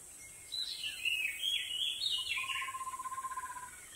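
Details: Energetic song of a wild White-rumped shama: a tumbling, descending run of varied high whistles and chirps, ending in a lower, evenly pulsed trill.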